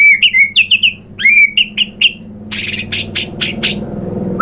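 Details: White-rumped shama singing, used as a lure to provoke singing: loud repeated whistled notes sliding down around mid pitch in quick series, then harsh buzzy high bursts and a final rising whistle.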